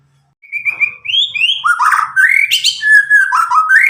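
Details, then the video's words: Young Medan white-rumped shama, around nine months old, in untutored song used to prompt juveniles to sing; three quick whistled notes, then a rich flowing sequence of rising and falling phrases. "murai batu Medan gacor walau lepas trotol cocok untuk pancingan murai batu macet"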